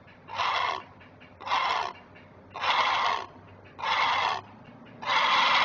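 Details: Great blue heron parent at a Chesapeake nest protecting its chicks, caught on a nest camera on May 19, 2023. Five coarse, rasping squawks are spaced about every 1.2 seconds, each brief and harsh, with steady rhythm.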